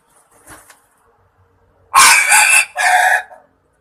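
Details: Green junglefowl, Javanese wild fowl (kasintu), crowing as a lure call for hunting: a faint note, then a loud, hoarse, broadband two-part crow, a harsh burst followed by a shorter second phrase, in otherwise quiet surroundings.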